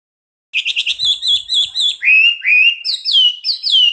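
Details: Chinese hwamei, a national champion singer, opening with a rapid trill of high notes, then clear rising and falling whistled phrases repeated in a steady run.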